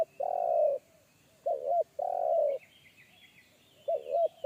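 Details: Deep-voiced spotted dove in the forest, with a single-kuk call style described as big and bassy. Long sustained coos alternate with quick wobbling double notes in a steady cycle. Thin, high twittering of other birds is in the background.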